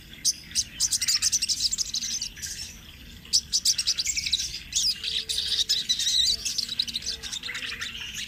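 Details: Sunbird, locally called sogon trotol, in rolling 'ngerol' song used as a training master for other birds: a dense, fast, high-pitched twittering trill in near-continuous bursts, with a brief pause in the middle before it resumes.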